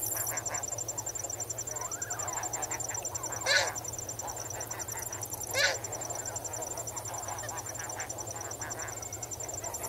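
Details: Snow goose flock calling while swimming and wading in water: a low murmur of calls broken by two loud, sharp honks near 3.5 and 5.6 seconds, over a steady high chorus of crickets.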